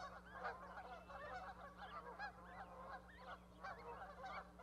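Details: Goose goslings and parent on a raised osprey platform, Charlo, Montana, May 2020. Busy, overlapping honks and short calls in quick succession, fairly loud, over a low electrical-like hum.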